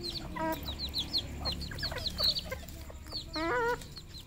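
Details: Red junglefowl on a farm in Cambodia giving harsh, harmonic clucking calls, one near the start and a longer one near the end, over many high, thin chick peeps.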